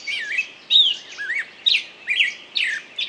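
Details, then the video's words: A singing bird gives bright chirped and twisting whistled notes, each burst lasting under half a second, coming about once per half second to second, over light steady background noise. "пение птицы"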